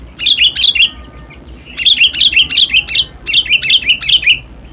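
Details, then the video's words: Sooty-headed bulbul singing three quick phrases of bubbly, slurred chirps, each of three to six notes, rising and falling slightly, separated by brief pauses. "SUARA ASLI KUTILANG"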